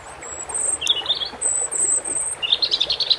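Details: European robin song over water sounds: a few thin, very high sustained whistles alternate with brief, twittering clusters, ending in a fast, jittery run of rising and falling notes, with a constant soft hiss beneath.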